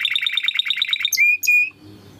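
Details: Pulsed chattering trill from a Timbrado canary in a training song, followed by two pure level whistled notes, then quiet.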